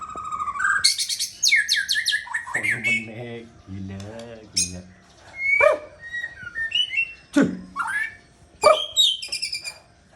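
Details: White-rumped shama breeding bird delivering a rich mix of loud whistles, sweeping slurs and sharp clicks, with a stretch of lower rasping, chattering notes in the middle before the whistled phrases resume.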